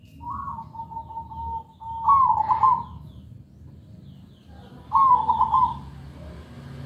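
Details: Perkutut (zebra dove) singing a clear, melodious lure song meant to make other birds sing: a long, level drawn-out coo, then two rippling, trilled coo phrases, with low background rumble.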